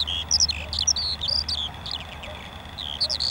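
A lark pours out a fast, unbroken stream of high, varied chirps, trills and slurred whistles, with a low steady hum underneath.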